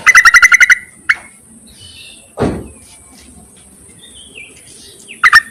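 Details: Yellow-vented bulbul call played to attract males and used as a lure. Opens with a rapid run of about seven bright bubbly notes, then a single note, a soft rushing noise midway, and a closing double note.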